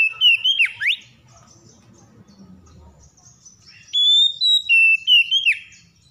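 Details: Stressed Oriental magpie-robin provoked into singing: loud clear whistled phrases with sharp slurs and held notes in two bursts separated by a quiet gap with faint low noise.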